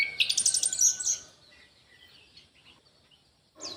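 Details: Orange-headed thrush in an aviary giving a rapid, high, twittering burst of song for about a second, then quiet background hiss and a final short note.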